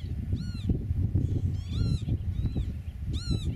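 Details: Eurasian oystercatcher at its nest in a meadow, filmed from about 8 metres: four loud, arched, piping calls rich in overtones at irregular intervals, the third softer, over a steady low rumbling background.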